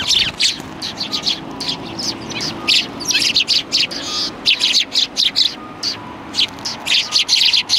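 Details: A group of sparrows on a shrine bench at Tenmangū, recorded 21 January 2020. Dense chattering chirps pour out continuously, many short notes stacked together from more than one bird, with a low background murmur.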